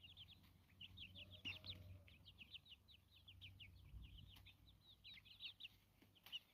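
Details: Chickens foraging outdoors in nature: a dense stream of short, high, sharply falling chirps, many overlapping and running almost without pause, over a steady low hum and a few faint clicks.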